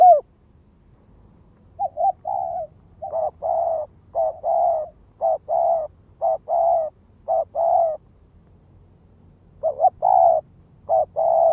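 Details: Ground lure spotted dove calling insistently to provoke wild doves: a long run of low, hollow coo phrases, short notes alternating with longer drawn coos, almost continuous for eight seconds, then a brief pause before more phrases.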